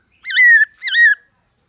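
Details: Two loud, clear whistled notes from a black-throated laughingthrush, each slightly falling and rich in overtones, separated by a short gap. The forest-voice song is meant to spur other caged laughingthrushes into singing.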